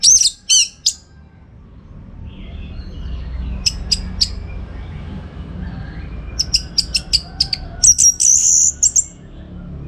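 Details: Orange-headed thrush singing for training contest birds: a few loud whistled notes at the start, scattered sharp chips, then a quickening series ending in a high buzzy trill, with faint low hum behind.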